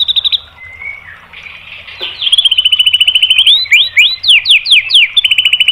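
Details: White-rumped shama singing to provoke other birds into song, with a rapid run of repeated rising whistled notes followed by sweeping slurred whistles and a steady trill.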